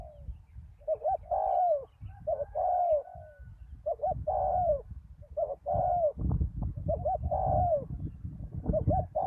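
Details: Spotted dove used as a decoy at a ground-level lure site after a storm, answered by a deep-voiced wild bird: mellow, hooting coos in phrases of a short double note and a long falling coo, over steady low rumbling noise.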